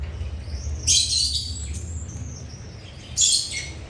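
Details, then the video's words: Birds chirping while they eat: two loud, harsh chirp bursts separated by softer, thin whistled notes and faint twittering. "Birds eating & chirping sound"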